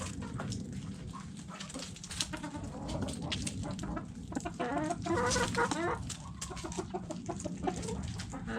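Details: Backyard hens feeding on food scraps, clucking in quick irregular bursts, with a longer harmonic call midway through, amid constant pecking, scratching clatter and low hum.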